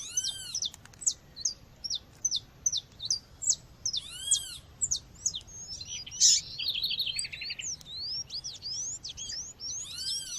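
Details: Calling female seedeater (coleiro/papa-capim) heard over nature sounds, meant to stir males: a steady series of short high chirps, then a loud squeaky burst, a fast buzzy trill and varied swooping twitters to the end.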